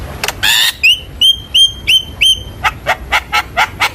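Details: Javan myna lure song meant to get lazy or young mynas singing again: a rasping burst, five upslurred whistles in steady rhythm, then a regular series of short harsh chack notes.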